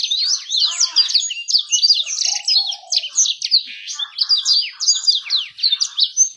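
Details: Bird song played as a lure to make birds sing fast and attract females: a dense, continuous warble of rapid high chirps and sweeping trills, rising and falling without pause.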